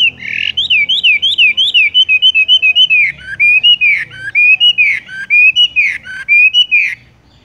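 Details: Wambie, Horsfield's bush lark, delivering tung roll song that hangs, then rolls straight on: bright whistled notes repeated rapidly and steadily for about seven seconds, some with downward flicks, fading out at the close.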